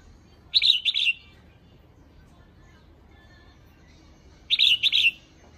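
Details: Female red-whiskered bulbul calling to excite males, two short bursts of bright chattering notes, each a pair of quick warbled phrases, separated by a few seconds of quiet background.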